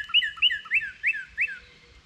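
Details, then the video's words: A northern cardinal near a feeder awaits falling seeds and whistles five rich, slurred notes in quick even succession. Each note swoops upward and then trails downward, and the notes fade toward the end. "Cardinal Bird Sounds"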